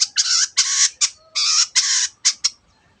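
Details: Long-tailed shrike in 'teot teot' form, aimed at exciting other birds to sing: a run of loud, grating, drawn-out harsh notes with short clipped ones between, fading out after two and a half seconds.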